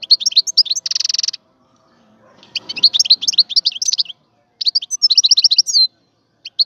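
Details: Song of a wild European goldfinch from 2022: bursts of rapid tinkling twitters and chirps, a brief buzzy rasping note near the start, pauses between phrases, and a soft rustle in a gap.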